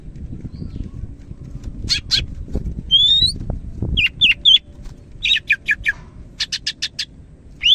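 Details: Greater green leafbird of the Medan type singing vigorously: a varied run of sharp clicking notes, a pure rising whistle near three seconds, then bursts of stacked chips and short slurred whistles, over a low rumbling background.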